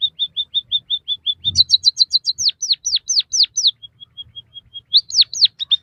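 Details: Captive-bird training song of a white-headed munia: a run of short even high notes, then a fast trill and loud falling whistled slurs, ending with level notes and two more sweeping whistles.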